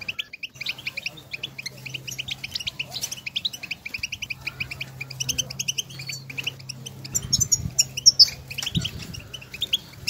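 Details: European goldfinches calling to each other in nature, a long stream of fast, high chirping twitters with occasional harsher buzzy notes, set against a steady low drone and some low bumps near the end.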